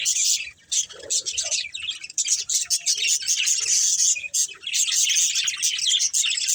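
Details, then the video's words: Pet budgerigars kept as lovebirds, playing and eating, give a dense stream of high, scratchy chirps and twitters that run almost without a break, with brief dips in loudness. "Cute Budgies Chirping Sounds"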